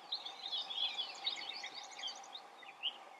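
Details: Gray catbird perched out in the open, delivering fast, erratic squeaks, chips and warbles in a continuous high-pitched jumble, with a steady background hum throughout.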